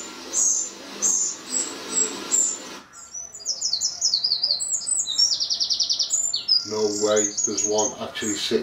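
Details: Eurasian wren song in a garden, with wrens and chicks reacting to playback of their own song: thin high squeaks repeated for three seconds, then a fast run of sharp trilled phrases, ending in a lower buzzy harmonic sound.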